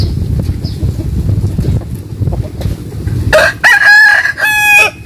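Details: Morning crow of a rooster in a Vietnamese countryside village in the western region. A steady low rumble comes first, then a loud crow of several harsh, stepped segments ending in a sustained tone.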